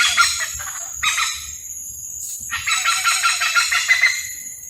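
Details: Hornbills calling while courting, a series of harsh, harmonic-rich cackling phrases broken by short pauses, the last phrase long with rapid pulsing notes.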